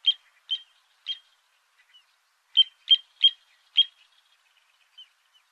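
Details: Little ringed plover during mating, egg-laying and incubation: short, clear, high piping notes given singly and in a quick group of four, then faint softer notes, in an otherwise quiet setting.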